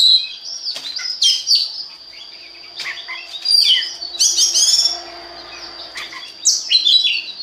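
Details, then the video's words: Oriental magpie-robin song meant to trigger singing in other magpie-robins: clusters of fast twittering and whistled notes separated by quieter pauses, with a steady high ringing tone and faint low hum. "DI JAMIN BIKIN KACER LAIN AUTO GACOR DENGAN PANCINGAN BURUNG KACER INI"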